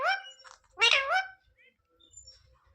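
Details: Pet talking parrot asking its owner for roti: a brief harmonic phrase near the start, then one loud rich wavering syllable about one second in, followed by faint scraps and quiet indoor rustle.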